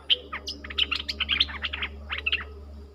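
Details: Streak-eared bulbul in a heated song duel with its partner, 30 October 2021: a lively run of sharp chirps and short warbled notes, closely spaced, over a steady low hum.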